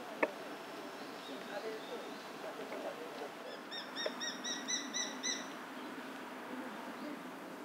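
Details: Male Japanese sparrowhawk calling in alarm near where a female is nesting, in a park: a quick series of about ten sharp, high, evenly spaced notes, faint over steady background hum and a distant voice.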